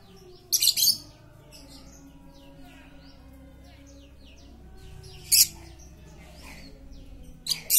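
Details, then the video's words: Highly vocal lovebird serving as a lure for quiet lovebirds: loud grating chatter bursts near the start, the middle and the end, over many faint downslurred whistles from other birds. "Pancingan Lovebird super cerewet untuk memancing Lovebird diam jadi fikter"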